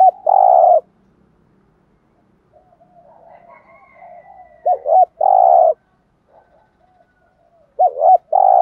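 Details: Spotted dove (cu gáy) with a "thúc gù" lure call meant to draw wild doves in. A long coo opens, faint murmuring follows, and then two full phrases come about three seconds apart, each a stuttered double note and a steady, hoarse held coo.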